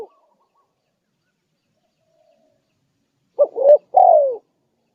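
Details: Spotted dove lure call to attract wild doves: a long near-silent stretch, then one cooing phrase of two short notes and a downward-sliding final coo.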